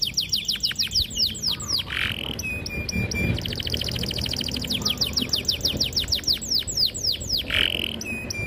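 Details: Energetic canary song for stimulating young canaries to sing: series of fast downward-sweeping whistled notes, short buzzy bursts, and a dense rapid roll, repeated in tours.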